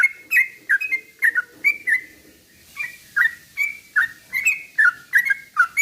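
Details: Sooty-headed bulbul song slowed down, used to stir other birds into singing: a steady series of short bubbly two-part phrases, each dipping then rising, repeated roughly three times a second with a brief pause midway.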